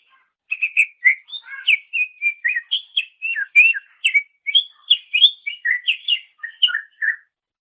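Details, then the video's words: Master recording of a greater green leafbird for training songbirds: a continuous run of rapid whistled and warbled notes, each brief and varying in pitch, delivered almost without pause for seven seconds. "Ocehan Suara Burung Cucak Ijo"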